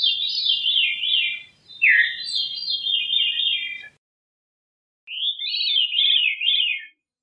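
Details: A Veery gives a long, breezy, spiralling phrase with a downward slur in the middle. After about a second of silence comes a shorter, wavering, descending phrase.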